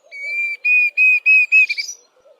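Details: Diederik cuckoo: one sustained pure whistle, then four evenly spaced whistled notes and a quick trailing flourish, with soft chattering of another bird in the background.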